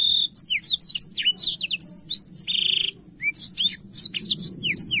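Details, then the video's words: Clear, energetic singing of a Black-throated canary for teaching canaries: nearly continuous high chirps and slurred whistles, a steady buzzy note in the middle, then a brief pause before the twittering resumes. "BLACKTHROAT GACOR SUARA JERNIH UNTUK MASTERAN KENARI BAHAN PAUD CEPAT BUNYI CUIT CUIT"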